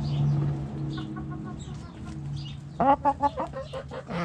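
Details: Chickens in a backyard coop: quiet murmuring at first, then a hen gives a run of five or six sharp, evenly spaced clucks, with a low steady hum throughout.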